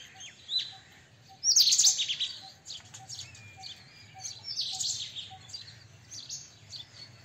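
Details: Harsh, high-pitched screeching rattle from a white-throated kingfisher, loudest near the start, followed by weaker chattering bursts. Faint short tones repeat evenly in the background.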